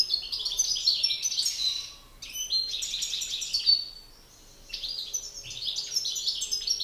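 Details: Male European goldfinches duelling in song, a master bird against an excited one: three bursts of fast, bright twittering and chattering, each a second or two long, with quiet gaps between.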